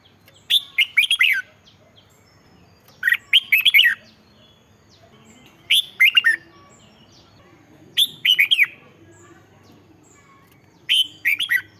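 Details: Song of a red-whiskered bulbul, used to stir up caged birds: five short bright phrases of three or four slurred whistled notes, each falling at the end, repeated about every two to three seconds in a quiet setting.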